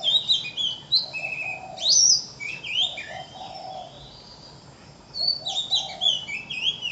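An Oriental magpie-robin sings varied, slurred high whistles and quick chirped notes in two bursts of a few seconds, separated by a short pause.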